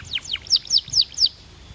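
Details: Belgian canary sings five loud, high descending whistled sweeps in quick succession, each a sharp down-slurred note, with near silence after.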